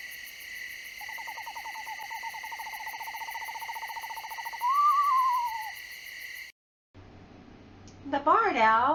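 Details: Eastern screech owl, a small owl of central Texas: a long, even, quavering trill ending in a brief higher, descending wavering note, over a steady background tone; a voice starts at the end.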